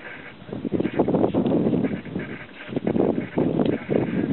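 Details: At Maasai Mara National Reserve, a bustard gives harsh, low, croaking honks in rough bursts, roughly one every second, with some background rumble.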